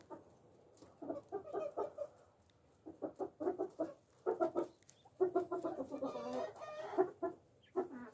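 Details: Tame pet Japanese quail, also called Coturnix quail, one of four kept on a farm, being patted and hand-fed; soft, low clucking notes in irregular clustered bursts, roughly 75 a minute, with short pauses between groups.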